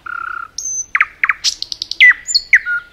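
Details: Forest nightingale song: a low buzzy rattle, a high pure whistle, paired sharp notes, a quick series of high clicks and rising-falling whistled phrases.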